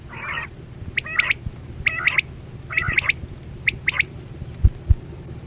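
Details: Quail (chora batera) call used as a lure for net hunting in the 2024-25 season: clear, sharp three-note whistled phrases repeated about once a second, with a rustling burst at the start and low rumbling background noise.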